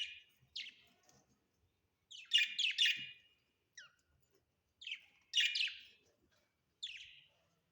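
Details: Budgerigars kept as pets indoors give quick sharp chirps and bursts of rapid scratchy twittering that come in clusters every couple of seconds, with quiet gaps between the bursts.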